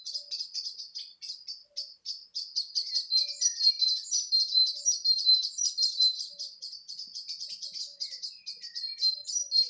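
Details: Birdsong recorded in May 2020 at Gorleston on the Norfolk and Suffolk border: dense, continuous high chirping and twittering from several birds overlapping, with quick notes tumbling one after another and a few lower whistled notes beneath.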